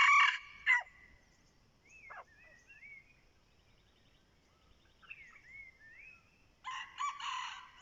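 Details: ['A red junglefowl used as a decoy crows at the start and again near the end. Each crow is a harsh, choppy blast. In between, soft slurred whistles of small birds and a few clicks are heard.']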